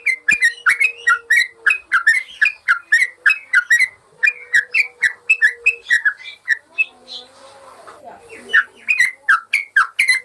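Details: Master recording of a yellow-vented bulbul for training caged birds: chattering, bubbly whistled phrases in quick succession over a faint steady hum, a short quieter gap around seven seconds, then the lively whistling resumes.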